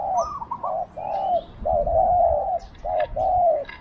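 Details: Thai decoy spotted dove calling to entice wild doves: a quick opening coo that rises then drops, followed by a chain of low, drawn-out coos, with faint whistled notes from other birds.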